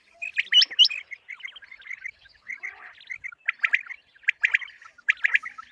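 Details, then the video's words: Repeated calling of common quail for hunting, intended for morning: a few high hooked notes open, then irregular runs of clipped chirps come in tight bunches, growing louder toward the end. "Batair ki awaz | common quail calling"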